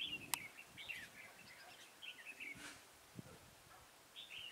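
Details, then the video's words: Red-whiskered bulbul singing as a trap decoy to attract rival birds, 23 October 2017: chattering, slurred whistled phrases in quick runs, broken by sharp clicks and knocks, with a final phrase near the end. "Bẫy chào mào Mào lân chơi cúp cầu - siêng cánh"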